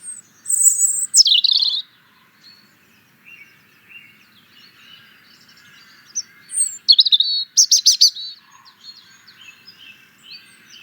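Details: European robin singing bursts of high, thin whistles and tumbling warbles separated by pauses, with other birds faintly twittering in the background outdoors.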